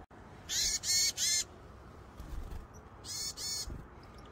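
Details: Eurasian nuthatch at sunflower seeds on 18 October 2020 gives short, harsh, high notes, a quick run of three, then two more after a brief pause, over a low background hiss.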